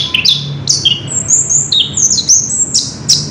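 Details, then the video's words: Orange-headed thrush singing a rolling song, recorded 3 March 2016: rapid, unbroken string of high, bright whistles and slurred notes, sweeping up and down with crisp chip-like accents and hardly any pause. "Burung Anis kembang ngerol edan luar biasa"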